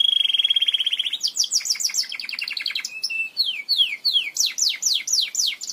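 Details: Belgian canary song meant to encourage canaries to sing: a held whistled roll, a fast descending trill, then a sequence of sharp falling slurred notes repeated about twice a second.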